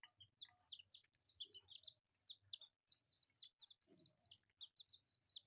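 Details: Baby chicks pecking at rice produce many piercing, arched cheeps overlapping in a steady stream, with occasional clicks and a brief lower rustling sound near the four-second mark.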